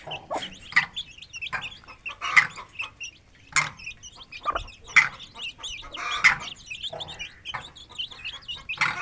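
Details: Aseel hen with her chicks feeding and playing in an open village yard; many high, short chirps and peeps scattered irregularly, mixed with broadband pecking or scratching clicks at intervals.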